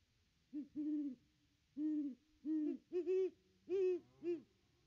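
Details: Wild Great Horned Owl hooting around its nest tree on 25 December 2021 as its mate arrives; deep, mellow hoots in loose groups of two and three, the later notes slightly higher and overlapping, with a faint lower hoot beneath.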